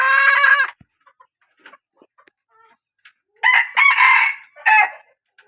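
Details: A hen of a strong-crowing line crowing: a loud, harmonic, slightly hoarse crow at the start, then after soft scattered clicks a longer multi-part crow rising and falling, with a brief final burst.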